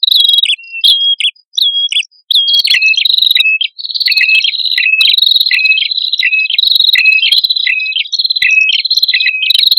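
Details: Male and female red-headed prinias in a lure recording, giving a fast, continuous run of high chirping notes. Each note drops sharply from a higher to a lower pitch, repeated rapidly for about ten seconds.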